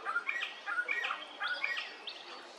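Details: Calls of a little friarbird in Hervey Bay, Queensland: three or four quick groups of sharp, chirping notes, each a short falling-then-rising phrase, clear and loud against a light background hiss.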